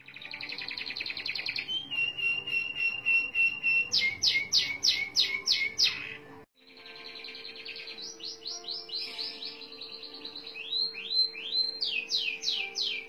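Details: Merlok canary rolling in one long breath: a buzzy high trill, a lower steady tone, bright falling sweeps, an abrupt break, then rising and falling trilled notes with a faint low hum.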